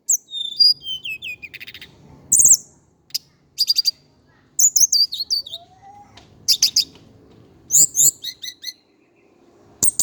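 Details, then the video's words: Song of the indigo flycatcher of Java, a long sequence of high, sharp chirps and twisting slurred whistles in separated bursts, with brief quiet gaps and a faint low rising tone midway. "KICAU BURUNG TLEDEKAN GUNUNG JAWA/SIKATAN CACING"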